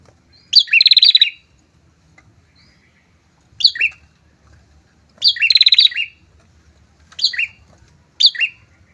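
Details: A pair of prinias in loud song used for luring rival birds: two long rapid buzzy trills separated by quieter pauses, each followed by short clipped downslurred notes.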